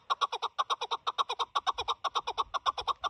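Chukar partridge giving a fast, steady run of harsh, hoarse clucks, roughly six per second, each note rasping and evenly spaced, with nothing else audible.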